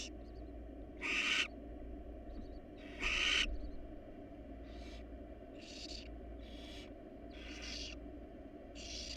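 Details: Barn owls, a wild family in their nest box, give two loud rasping hisses followed by five softer, shorter hissing bursts in quick, irregular succession, with a constant low hum underneath.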